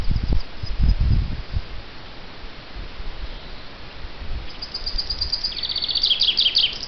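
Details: A chaffinch sings: after some low rumbling and a quiet stretch, a bright, accelerating series of high, repeated notes begins and builds into a descending rattle of phrases that lasts to the end.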